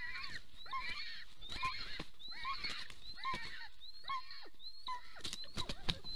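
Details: Wild golden eagle pair mating at their nest in Soomaa National Park, southwestern Estonia, at 10:47 am on 17 March 2024; a series of harmonic yelping calls with falling slurs, repeated about every 0.7 seconds, with a few sharp knocks near the end.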